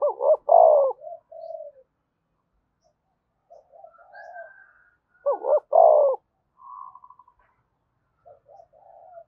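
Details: Spotted dove coo used to stimulate wild doves to call: two loud phrases of double short notes and a long falling coo about five seconds apart, with softer murmured coos between them.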